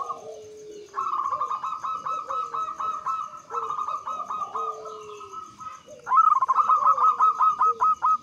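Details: Zebra dove, a local Javanese bird, singing a lure song in the Mataram rhythm meant to set other doves calling: fast pulsed trills of clipped coos, a lower sliding coo beneath, then a louder trilled phrase closing.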